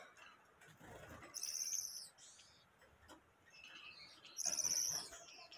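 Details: Gouldian finch singing: two short bursts of thin, very high, buzzy notes with a faint scratchy undertone, separated by a quieter pause; low background hiss.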